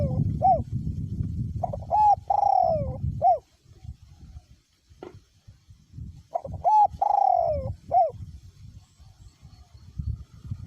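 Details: A spotted dove used as a decoy bird, voice small to middle, coos in strong wind: two phrases a few seconds apart, each with short notes around a long falling coo, with gusty rumbling between.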